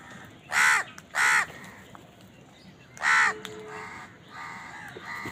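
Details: House crow calling while eating, with crows fighting over food; three loud harsh caws, two close together near the start and one after a pause, followed by fainter rasping calls from other crows in the background.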